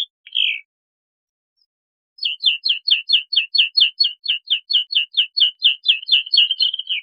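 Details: Bluethroat, a single downslurred note, a pause, then a steady metallic trill of evenly spaced high clicks, about two per second, rising slightly in intensity to a fluttering end.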